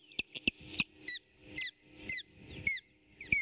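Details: Osprey at its nest on a nest camera, 8 April 2018, during an intruder's attempts to steal fish: a quick run of piercing, downslurred whistled chirps, at first close together, then spaced about half a second apart, with rustling in the background.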